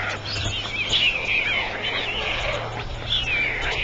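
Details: White stork (Ciconia ciconia) calling at a nest in Ustroń, 17 July 2009, 21:18, at feeding time: thin, wavering, high-pitched squeaks rising and falling in short bursts over a steady low electrical hum and hiss.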